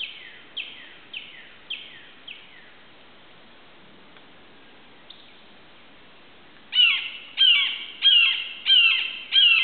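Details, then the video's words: Near Suwannee River State Park, Florida, July 2011, a perched red-shouldered hawk calls to its nest-mate: five softer down-slurred screams, a pause, then five loud, harsh descending kee-ah calls about every half second. "the red-shouldered hawk calls out"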